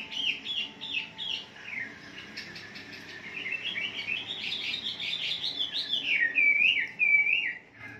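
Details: Morning lure song of the wambi for caged wambi: descending chirp phrases, then rapid clicks and a rising chattering run that ends in whistled upslurs.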